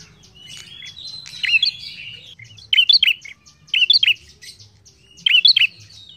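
Bar-winged prinia giving loud, sharp, high chirping phrases in quick bursts, repeated about every second or so, over a faint low hum.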